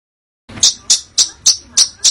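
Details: Songbird on a training recording for contest birds, described as dense, harsh screeching with sharp bursts: after a brief silence, six sharp, high, piercing notes are repeated about every third of a second.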